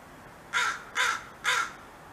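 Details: Three loud, rasping caws evenly spaced about half a second apart from a crow giving territorial alert sounds while fighting over food.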